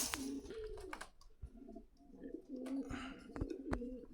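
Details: Pigeons at Meradia bazar, Khilgaon, Dhaka, coo in low, wavering rolls that rise and fall, broken by sharp knocks and clattering cage sounds.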